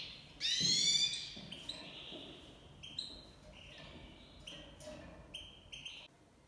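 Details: Iranian goldfinch of Himalayan and black-headed cross, tamed, in breeding season: softer scattered song with a loud opening twitter, then short clipped whistled notes at varied pitches over faint background noise.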